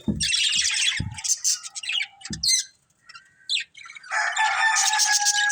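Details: A family of colourful budgies gives dense high warbling chirps, broken by low thuds and a brief lull, then a sustained harmonic-rich chattering passage with a steady tonal line underneath.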